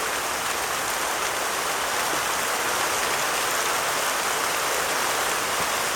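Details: Steady hiss of rain or rushing stream water fills the whole recording, with no animal calls audible.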